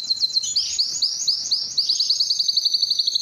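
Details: Canary song meant to excite females for breeding and to train other birds: sharp high chirps that run into a fast, rolling trill of evenly repeated notes, quickening toward the end.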